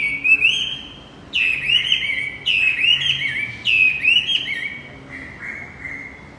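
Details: Male Javan white-eye song played to coax a silent male back into singing: loud, high, twittering phrases that begin with a sharp downward sweep, repeated about every 1.2 seconds and fading in the last phrase.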